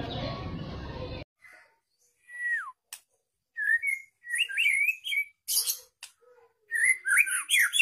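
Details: White-rumped shama, two years old, giving scattered whistled notes, some falling and some wavering, after an opening stretch of broad noise, separated by silent gaps.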